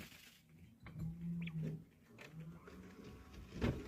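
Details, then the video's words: A quail makes a strange low, droning hum in two short bursts about a second apart while dust bathing, amid soft scratching and rustling. "Strange quail sound"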